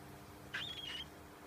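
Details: Baby cockatiel giving a single half-second call, a noisy rasping burst carrying a thin whistled tone that wavers and holds level, against a quiet indoor hum.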